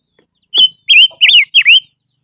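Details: Silver-eared mesia giving lure song: three clear whistled phrases, each a steady note sliding into a wavy, dipping warble, with a sharp click before the first.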